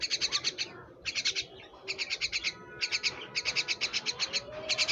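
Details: A kept myna repeats quick, high-pitched chirp trains, steady clusters of five to nine notes with brief gaps, some faint lower tones underneath.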